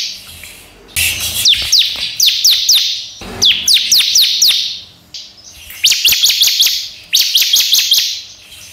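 A bar-winged prinia sings loud, high, sharp notes, each slurring downward, delivered in quick bursts of four or five with short pauses between.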